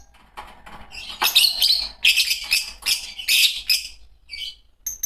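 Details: Shrill chattering from a green Fischer's lovebird pair: dense, high twittering bursts roughly every half second, then a few isolated squeaky notes at the end.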